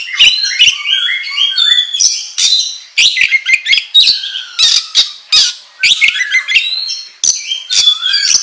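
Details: Oriental magpie-robin delivering an intense lure song: stacked whistled notes, descending slurs and loud squawking bursts repeated in fast, choppy phrases over several seconds.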